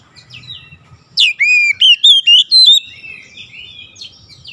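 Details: Oriental magpie-robin song intended to make other magpie-robins sing: a sharp downward note opening a burst of six loud, ringing whistled phrases, each rising and bending, framed by softer high twitters and low background rumble.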